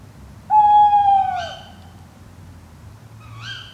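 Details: At night beside Llyn Padarn in Padarn Park's Fachwen area, Wales, a drop rig with a Zoom F3 and Clippies microphones picks up tawny owls: a loud, sustained, slightly falling tonal note, followed by two quieter sharp, rising calls.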